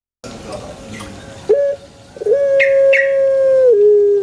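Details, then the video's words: Pelung chicken in a banana plantation crowing: a short clipped note, then a stuttered rise into a long level tone that ends on a lower, drawn-out pitch. "SUARA ASLI PUTER PELUNG Di KEBUN PISANG"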